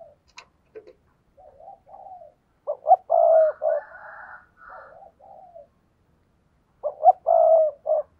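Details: A spotted dove kept as a decoy to draw in wild doves gives soft, low cooing that builds into loud phrases of quick stuttered notes ending in a sustained hoarse coo, repeated twice, with a faint click at the start.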